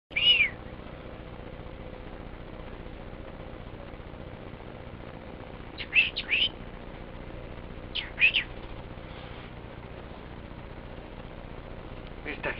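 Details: A pet cockatiel with its toy duck gives brief, bright chirps in small clusters, separated by several seconds of quiet.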